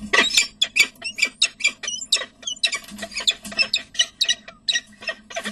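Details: Peregrine falcons at a nest in De Mortel, Netherlands, 6 May 2009 at 11:28, as the male brings prey and feeding takes place: a rapid series of harsh, scratchy squawks, roughly four per second, with a steady low hum behind.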